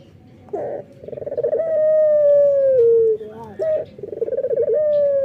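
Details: Male local puter dove in full morning song: a soft rolling, pulsed purr leading into a long, steady, low whistled coo that slowly droops in pitch, followed by a short upturned note and another rolling purr.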